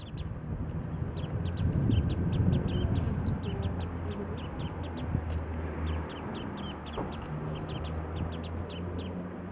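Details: Warbling white-eyes sipping nectar from early-blooming cherry trees at Kitago Station in Nichinan, Miyazaki, Japan; dense, continuous high chip notes, several birds overlapping, with steady low hum beneath.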